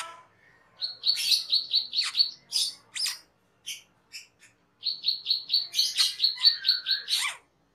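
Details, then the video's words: Cucak keling singing as a masteran recording for training cage birds: bursts of quick, evenly spaced chirps broken by sharp rising and falling notes, a short pause, then another chirping run ending in a falling whistle. "SUARA MASTERAN CUCAK KELING/KERLING"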